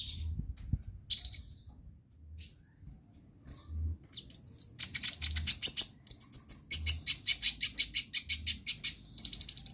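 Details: Energetic sunbird song meant to stir other birds into singing: scattered high squeaks at first, then a long run of fast, evenly spaced sharp chips that ends in a shimmering trill, with a soft low thumping underneath.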